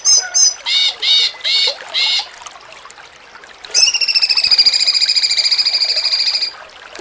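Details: Cucak cungkok in the jengking munting song style, used for training contest songbirds: a few short buzzy notes, a pause, then a long, rapidly pulsed, harmonic trill held for nearly three seconds, over faint background noise.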